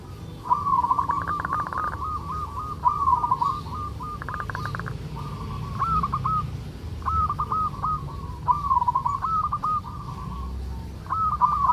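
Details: Local zebra dove producing 'kerot' song to raise breeding urge in listening doves: evenly spaced rolling, trilled coo phrases across twelve seconds, interrupted by sharp rattling clicks, over a constant low rumble.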